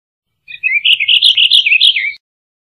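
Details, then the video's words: Purple Finch song: a rapid warbled phrase of about one and a half seconds, bright jumbled notes rising and falling around a steady middle pitch, ending on a lower slurred note; no other sounds. "Purple Finch Song! Purple Finch Call! Purple Finch! -Camachuelo Purpúreo Canto-"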